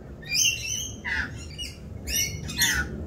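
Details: During the mating season and mating dance, rainbow lorikeets squawk loudly: four rough, grating bursts in quick succession, one lower and buzzier than the rest.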